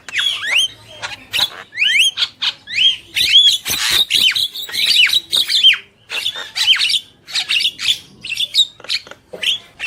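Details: Male and female black-winged myna in lively song, pouring out a steady series of loud, down-curving whistles mixed with rasping squawks, almost without a break.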